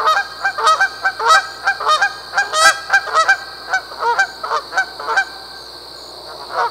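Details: Canada goose gives sharp nasal honks about every half second for five seconds, then falls silent. A steady high-pitched hum runs in the background.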